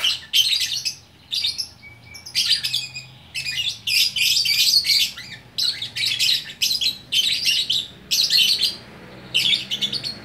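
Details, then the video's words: Single lovebird from Bukittinggi, West Sumatra, Indonesia, singing in the gacor orkestra style: bursts of harsh, buzzy chattering and shrill squeaks, about a second each, separated by short pauses, with a faint steady hum underneath. "Burung Lovebird Gacor Orkestra"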